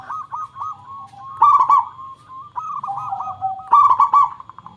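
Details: Zebra dove of a local strain singing to lure other birds; arched coos run between two loud clipped clusters about two seconds apart, with a slight pitch drop after each burst.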